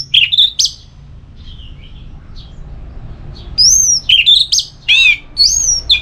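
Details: Orange-headed thrush, known locally as anis merah, singing to stimulate another bird to sing: loud whistles, a long quiet stretch with faint distant chirps, then a burst of varied rising and falling whistled and buzzy phrases.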